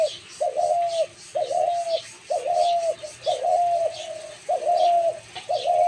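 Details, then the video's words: Dove calling in a repeated series of low, hollow coos, each about half a second long and drawn out with a slight wavering, coming roughly once per second. Faint chirps of other birds sound in the background. "ঘুঘু পাখি আঙ্গুলের ইশার সেই মাইর ডাক।Gugu pakhir Dak"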